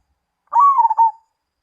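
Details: A zebra dove sings one brief phrase of soft cooing, a smooth opening note that breaks into rapid pulsed stutters and tails off slightly lower. The background is silent.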